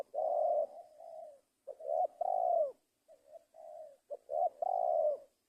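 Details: Spotted dove cooing steadily: three phrases, each a run of short soft hoots leading into a longer, slightly falling coo, repeated about every two seconds against near silence.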